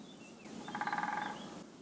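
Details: Woodpecker drumming on a circular walking route near Mogarraz, Salamanca, Spain. A quick even roll of about fifteen strikes lasting under a second, fairly faint, against quiet outdoor background with a thin distant whistle.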